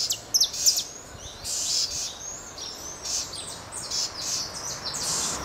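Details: Southern house wren chicks in Santa Catarina, Brazil, giving thin, very high chirps and hissy notes in quick, uneven bursts, with a faint steady background hum.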